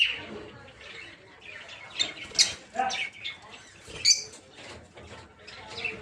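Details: A busy aviary of peach-faced lovebirds kept for breeding: a blurred mass of raspy chatter and sharp squeaks, with fluttering wings underneath.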